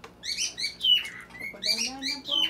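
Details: Pet Lutino Red-eye Cockatiel from the Philippines singing in the background at a family dinner: continuous warbling whistles with stacked harmonics and sliding notes, nearly unbroken, over faint low room sounds and a quiet voice.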